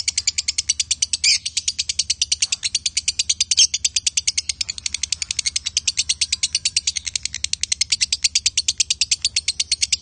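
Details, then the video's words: Lovebird pair, male and female, giving a sustained rapid chatter of high, scratchy pulsed notes repeated steadily for the whole stretch, with brief louder squeaks mixed in. "Love Bird Jantan & Betina suaranya Bagussss"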